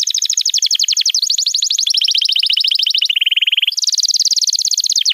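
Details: Canary master song to train young birds: a long chain of rapid trills shifting between high and lower pitch levels, including a brief low steady roll.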